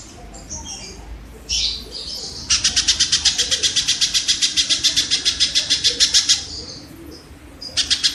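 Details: Kingfisher calling in a long run of harsh, buzzy notes at about four per second. The run starts abruptly after some brief rustles and scratchy sounds, then stops and resumes near the end. Used as tutoring audio for caged songbirds.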